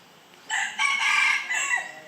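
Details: Red junglefowl crowing: one loud, harsh, harmonically rich crow lasting about one and a half seconds, broken into a short opening note, a long sustained middle section and a falling final part, over a quiet background.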